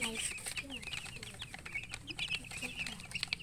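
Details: Chicken chicks, several colourful baby poultry, chirping out of thirst for drinking water: many high, sharp, rising peeps overlapping continuously from numerous birds.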